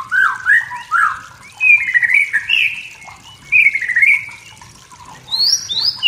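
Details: Wild forest white-rumped shama singing to provoke rivals: a run of rich whistled phrases, some slurred and rising, others wavering, with pauses between bursts and two sharp high whistles near the end.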